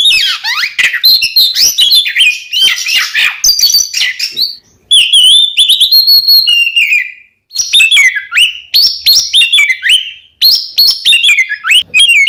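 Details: Oriental magpie-robin, two birds, used as a lure to make caged birds sing: loud, varied run of whistled and chattering phrases, sharp slurred notes and rapid trills, broken by brief pauses near five and seven and a half seconds.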